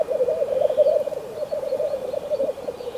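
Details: Steady low bubbling and cooing from black grouse in frosty surroundings, a throbbing warble pulsing unbroken through the whole stretch, with a few faint, thin higher notes.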